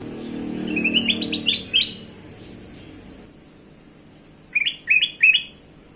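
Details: Kutilang emas (bulbul) song used as a lure for other birds: two bursts of bright, rising chirped notes stepping upward in quick series, separated by a quiet gap, over faint low background hum.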